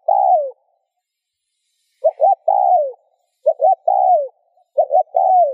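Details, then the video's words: Spotted dove cooing to get other doves cooing: a long descending coo, then after a pause three phrases of two quick hoots and a drawn-out falling note, in clean quiet surroundings. "Tiếng cu gáy RÚT BỔI hiệu quả , Chim cu rút bổi bài bản.chim cu gáy . cu gáy thúc gù kích bổi"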